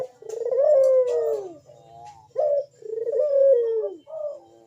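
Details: Burung puter dove calling with a big, sharp bekur voice in manggung style, meant to lure other doves into calling: two long, smooth, gently falling coos, each followed by a short clipped note, over a faint low hum.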